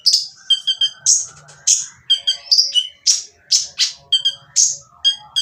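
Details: Van Hasselt's sunbird (kolibri ninja) giving a coarse, noisy song meant to prompt silent birds to answer: shrill, sweeping notes alternating with quick stuttering triple chirps, a faint low hum underneath.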